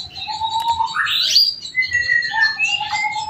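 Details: Home-bred adult male canary singing in a loud, long-lasting style used as a master song for training: clear whistled tones, a low steady note sweeping up into a bright rising slur, then several higher level whistles.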